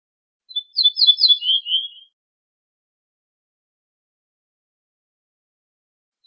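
Ortolan bunting sings one short phrase: a few ringing, repeated high notes that drop to lower, fuller closing notes. Silence follows until the next phrase begins.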